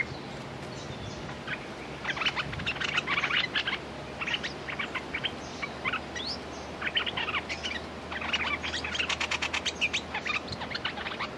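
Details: Decoy red-whiskered bulbul calling to draw in a territorial wild bird: lively runs of sharp chirps and warbled phrases, repeated in bursts, over a steady low hum of background noise.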